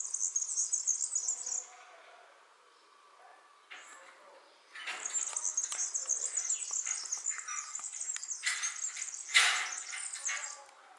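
A European serin sings a very high, fast, jingling twitter in bursts, with a short pause and a few scratchy, rustling noises between phrases.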